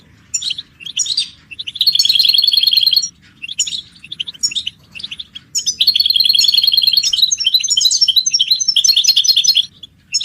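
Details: Caged European goldfinches in a group chatter ('batbata'), mating and readiness calls used to stimulate silent males to sing. Bright, buzzy high twittering comes in bursts, with long dense rattling trills around two and six to nine seconds.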